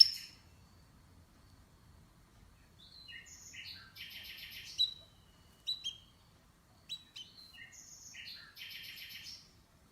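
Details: Canary with scattered short song phrases: brief trills, chips and whistled notes separated by quiet gaps, moderately soft against a quiet background.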